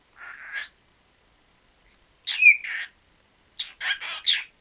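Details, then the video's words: Chatty pet parrot producing loud, clear bursts of scratchy, speech-like syllables: one short phrase, a pause, a longer squeaky phrase, then a quick run of three or four clipped sounds in a quiet room. "Попугай Чика разговаривает многого..."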